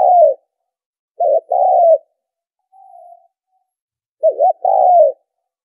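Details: Spotted dove call played to draw in birds for trapping. A long falling coo opens it. Then comes a stuttered coo and a drawn-out coo, a faint soft note, and a repeat of the wavering-then-long coo phrase. The background is silent.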